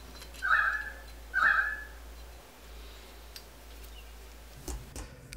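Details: A currawong, a crow-sized Australian bird, heard in the background of a workshop, gives two loud, ringing calls about a second apart, then falls quiet; a low workshop hum and a few sharp clicks and knocks follow.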